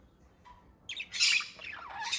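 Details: A pair of budgerigars, kissing, chatter in a burst of harsh, scratchy, rapidly warbling high notes.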